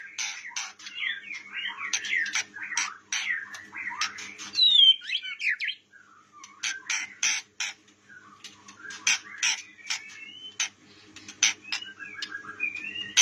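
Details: White-rumped shama of the blorok type singing: a dense, varied run of rich whistles, quick chirps and sweeping slurred notes in bursts, with a brief pause near the middle before the phrases resume.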